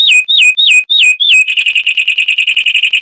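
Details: Zapata wren, a Cuban lowland scrub species, gives five loud whistles that dip and level off. It then switches into a long, rapid, evenly pulsed trill. The high, ringing song plays over a silent background.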